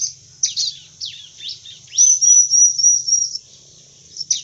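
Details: Bar-winged prinia giving a vigorous song: high, thin, buzzy chirps and downward-sweeping notes, then a long sustained high trill, with low background hum.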